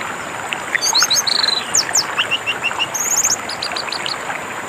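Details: Orange-headed thrush singing over running water, meant for training silent birds: varied bright whistled phrases, falling slurs, a few soft lower notes, then a series of short spaced chirps and a high rapid trill.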